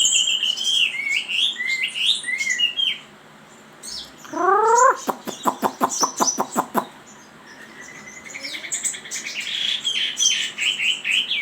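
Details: Chinese hwamei singing rich whistled phrases, then a burst of rapid repeated clicking notes in a steady series, followed by renewed rising whistles and twittering.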